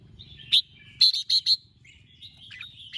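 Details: Morning song of a red-whiskered bulbul, a "ché" style recording meant to spur young birds: one sharp note, then a quick run of three clipped chirps, then softer warbled notes over a low rumble.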